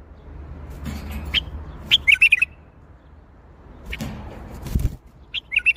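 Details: Bulbul singing in the Baghdadi style: a few sharp chirps lead into a fast, bubbling warble, a lull with some low rustling, then another short rippling phrase at the close.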